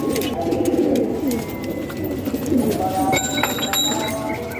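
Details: Low rolling coos from house-kept pigeons in Pakistan, two fuller phrases early and mid-way, with faint higher squeaks and clatter toward the end.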